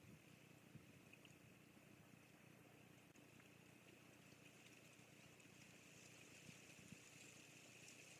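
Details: Steady broadband outdoor hiss with a low rumble like wind or a distant engine idling, and no animal calls to be picked out.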